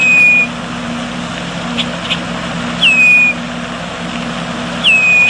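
A bird repeats a clear, high whistled note that slurs down and then holds steady, about every two seconds, over a low steady hum.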